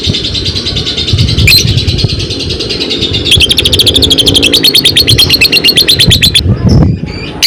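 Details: Caged lovebird of the fighter type chattering: scattered high chirps, then a long run of rapid buzzy repeated notes lasting about three seconds, over steady low background noise.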